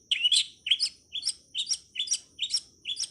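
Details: Cowet, or long-tailed shrike, training song in 'ala anak rimba' style: quick repeated two-part chirps, a rising slur then a bright high note, about two per second, with a thin steady high hum behind.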